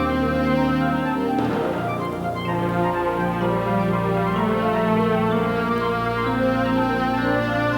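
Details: Orchestral music with sustained strings and organ-like chords plays throughout, with no animal voice.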